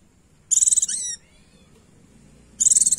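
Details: Female Oriental white-eye calling to attract a male: two bursts of very high, rapid chattering notes, with a short thin descending twitter after the first burst.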